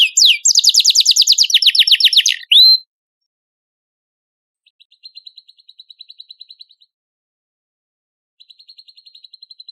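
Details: Competition canary training master with mixed filler birdsong: a loud, fast, evenly pulsed high trill lasting over two seconds, then two softer, thin, rapidly repeated ticking trills after a pause.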